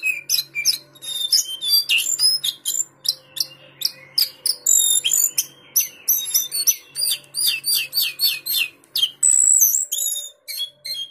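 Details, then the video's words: Captive lesser shortwing kept in a bird collection in Pekanbaru, singing a rapid, varied song of high thin whistles, trills and sharp chirps in dense bursts, with brief pauses between phrases and a faint low steady hum underneath. "Burung Lesser short wings"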